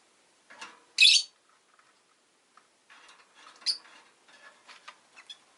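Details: Rosy-faced lovebird giving one loud, harsh, high chirp, then scattered faint, scratchy twitters and soft clicks over a quiet background.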